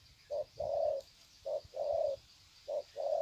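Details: Spotted doves used as decoys greeting one another, Sê San, 21 February 2020; three short-long pairs of soft, hollow, low-pitched coos in an even rhythm.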